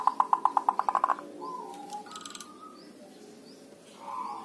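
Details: Local Javanese zebra dove giving dhuduk calls, a tut-tut-tut sound used as a lure to set other doves calling. The clip opens with about ten fast, punchy notes, followed by softer coos and a faint distant buzzy call.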